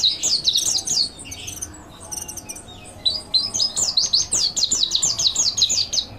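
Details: Lively mountain white-eye training song: a tumbling run of high chirps, a patch of softer scattered ticks, then a fast rhythmic string of rising-falling twitter notes.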